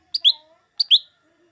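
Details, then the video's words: Lesser green leafbird, known locally as cucak ijo mini or cucak daun, whose voice is used to provoke green leafbirds into singing before contests; two bright, sharp double chirps, each a high note dropping into a slightly lower one, about 0.7 seconds apart. "Suara burung cucak ijo mini atau cucak daun"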